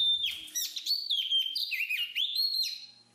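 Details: Continuous warbled whistling from a black-capped babbler. The high tones waver, dip and rise again in a smooth, flowing phrase of about three seconds.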